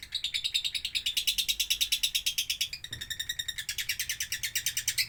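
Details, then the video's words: Lovebird singing doubbelan style, a song offered for tutoring other birds: a rapid chattering trill of harsh pulses that stops briefly midway, then returns with a higher, busier texture. "Love bird doubbelan ajib cocok untuk masteran"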